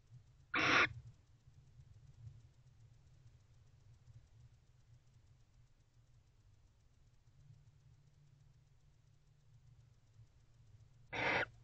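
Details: Pair of barn owls coming back to their nest box at 9:25 pm, 24 November 2023: two short, rasping, noisy screeches about ten seconds apart, with low steady hum between them.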